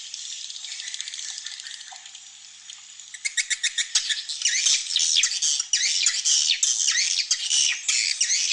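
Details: Swiftlets in a roosting-room playback meant to make them feel safe, like hearing a large flock nearby from chicks to adults: a soft high chatter, then dense rapid high chirps and twittering from many birds.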